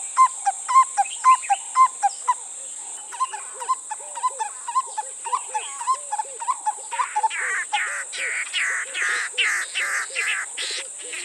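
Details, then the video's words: Black-collared Barbet duet, male calling and female responding: loud ringing paired notes for two seconds, then a run of softer scratchy and looping notes, with harsh buzzy rasps building toward the end over a steady high hiss. "it starts out however with a couple of scratchy sounds before they go into the famously described two padley call as heard here [Laughter] oh [Laughter] the"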